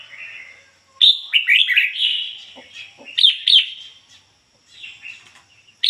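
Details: Red-whiskered bulbul decoy bird singing 'ngoi bổi' style in a pure voice without mixed notes: a jumbled run of bright downslurred whistles, a second shorter phrase, then a softer trailing note.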